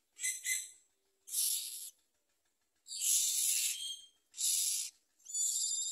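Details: Common myna chicks begging at the nest with their mother: a series of five harsh, raspy, hissing screeches, each about half a second to a second long, separated by short pauses, some with faint whistled overtones.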